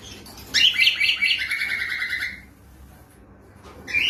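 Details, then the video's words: Pet cockatiel singing without rhythm: a burst of bright chirps, then a long buzzy warbled note held steady for about two seconds, a pause, and a fresh sharp chirp at the end. "آواز عروس هلندی بدون ریتم😄Cockatiel Singing Without Rhythm"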